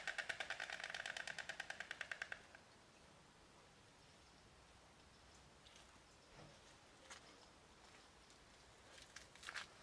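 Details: Storks on their nest: rapid wooden bill-clattering, about nine dry knocks a second for two seconds, then faint scattered clicks and quiet background.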